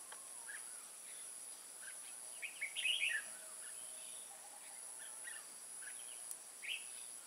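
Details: Decoy Red-whiskered bulbul luring wild birds to a trap at Kim Bôi, Hòa Bình, Vietnam, 14 May 2018: soft scattered chirps building to one loud warbling phrase, then sparse notes, under continuous high insect noise.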